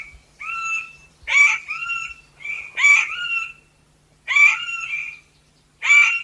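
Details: Harsh, raspy squeaking calls of the Chestnut Forest Rail, a small montane forest rail. Seven or so grating notes come in an uneven series, some in close pairs, each with a rough, buzzy, wide-band quality and gaps between bursts.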